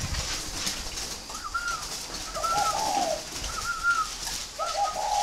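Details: Captive spotted dove of northern Vietnam, bred in Ba Vì district, Hanoi, for its fine voice. It makes repeated low, mellow coo phrases with brief higher whistled tones between them, over a steady hiss.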